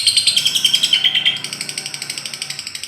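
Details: Caged lovebird used to prompt silent caged birds into singing. A high whistled note gives way to a rapid, harsh, pulsed chatter of about twelve beats per second that slowly fades.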